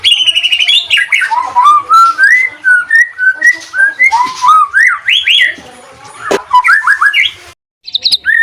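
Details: White-rumped shama singing, a lure recording meant to spur stressed, lazy birds into quick song: clear whistled notes in rising and falling sequences, about three per second, with a brief pause and a sharp click near the end.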